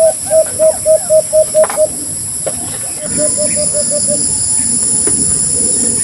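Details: {'caption': 'White-eared brown dove giving a quick run of eight evenly spaced, hollow, upturned notes, then a softer second run after a pause, against background hiss and faint insect-like noise.'}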